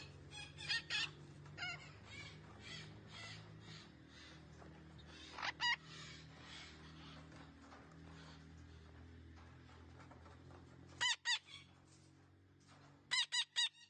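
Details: Green parrot said to be talking: long stretches of soft scratchy chatter broken by loud, clipped, stacked squawks in quick pairs and triplets near 5.5, 11 and 13 seconds, over a constant low droning hum.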